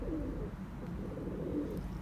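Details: Male domestic pigeons in a loft cooing to each other: soft, low, murmuring coos blending into a steady low rumble of background noise.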